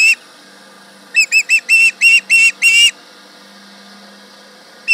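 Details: At the Charlo osprey nest, 11am on 31 July 2019, the osprey yells at a tractor with one note, then seven rapid whistles that lengthen and grow louder, and a final note after a pause.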